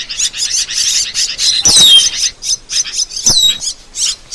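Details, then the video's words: Asian glossy starling, called cucak keling, singing as a tutor track for birds: rapid rhythmic high chirps with two loud, sharply falling whistled notes standing out amid the chatter. "Masteran Burung | Cucak Keling"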